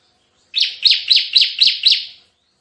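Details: Bar-winged prinia giving a single 'tembakan' style burst of six strident, buzzy notes in even, rapid succession, each note sliding downward, with silence around it.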